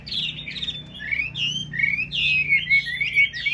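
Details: Chinese hwamei kept in a cage, delivering a lively string of clear whistled phrases that rise and fall quickly, each note short and slurred, with little other sound beyond a faint low hum.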